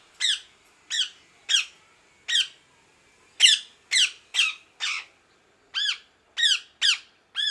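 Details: Parrot calling with a steady string of short, harsh squawks, roughly two each second. Each has a downward-sliding, ringing tone, and the later calls sound clearer and more tonal.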